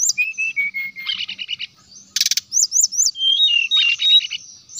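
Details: Energetic brown-chested jungle flycatcher singing, meant to call another of its kind: a row of level whistles, then buzzy trills, a harsh burst and three arched whistled notes.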